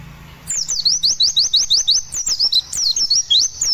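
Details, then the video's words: White-eye (pleci) song used as a lure (pancingan) for other white-eyes, meant to be played while the bird is aired after sunbathing: a rapid, high, thin run of sweeping whistled notes, about three per second, rolling on without pause. "Pancingan Pleci Roll Tembak Nyepeed"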